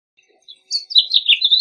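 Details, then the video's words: House finch singing a brief, hurried warble of varied twittering notes that start thin and high, then run together into a bright, slightly buzzy phrase, with no other sounds. "House Finch Song! House Finch Call! House Finch Sound! House Finch Singing! House Finch Calling!"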